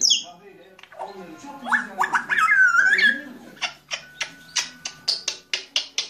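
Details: Grey parrot indoors, giving a run of harmonic, talking-like warbles and a rising then falling whistled tone, followed by a fast train of sharp, evenly spaced clicks repeated about four times a second.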